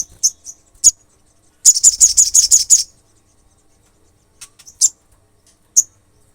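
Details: Olive-backed sunbird singing to stir up other sunbirds. Separate sharp high chips come before and after a quick burst of about seven shrill, buzzy notes in the middle.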